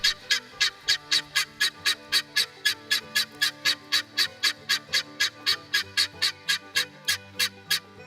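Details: Helmeted guineafowl male giving a dry, harsh single-note shriek, chee-chee-chee, repeated about four times a second; the male cannot make the hen's two-syllable buck-wheat call, though startled hens may imitate this alarm call.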